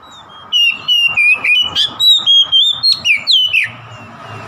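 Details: Oriental magpie-robin singing a fast provoking song meant to inflame a rival: a rapid string of loud, clear whistled notes, some sliding up or down, repeated about four times a second for three seconds, with faint hum behind.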